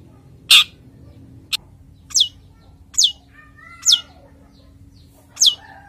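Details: Male long-tailed shrike, a kept bird in breeding condition, utters sharp harsh notes and high downslurred squeaks at irregular intervals, with a faint whistled double note in the middle.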